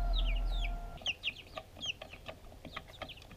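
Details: Backyard chicks eating food, filmed on a GoPro: short high peeps, some rising and some falling, repeated irregularly several times a second, over a low steady hum in the first second.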